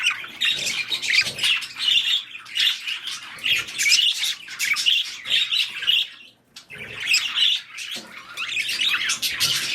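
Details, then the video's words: Mating budgies, fast chattering warble of clicks and chirps in bursts, with a short silence near six and a half seconds before the chatter resumes. "Budgies / parakeets | Mating / Breeding"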